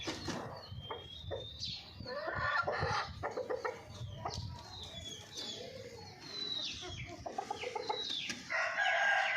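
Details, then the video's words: Golden Misri hens clucking in rapid irregular runs and short cackling bursts, while thin descending chirps from other birds sound throughout. "Hen sound effect | Murgio Ki awaz"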